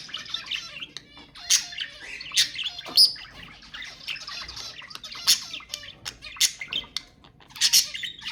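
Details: Budgerigar song to stimulate mating: dense, buzzy warbling with scratchy squawks and chirps overlapping almost without pause, rising into sharper bursts now and then.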